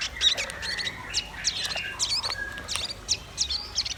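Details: Red-billed nuthatch and white-rumped shama song: a rich, varied stream of high whistles, trills and quick slurred notes that overlap constantly, with a few lower sustained whistled tones underneath.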